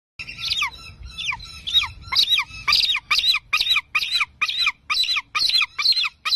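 An eagle gives a series of high, thin, downslurred squealing notes, about two per second, at first uneven and then steady and insistent.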